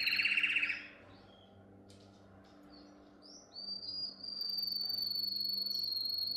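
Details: Song of a canary, used for training young canaries: a loud burst of buzzy notes, brief chirps and slurred whistles, then a long, even, high trill running steadily to the end.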